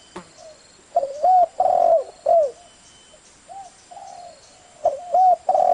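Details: Spotted dove calling. Soft, mellow hooted coos in short groups, a double note followed by a longer drawn-out coo, repeated after quiet gaps with fainter coos between. The setting is otherwise quiet.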